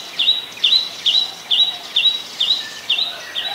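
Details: Adult Chestnut-headed bee-eater in Ubon Ratchathani, Thailand, on January 4, 2020, giving a steady series of crisp, high, slightly trilled chirps, about two every second, eight in a row, clear over a quiet background.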